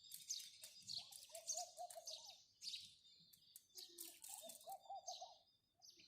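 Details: Several house sparrows chirping rapidly, their bright, scratchy notes tumbling over each other, with short bursts of low, wavering dove cooing in between.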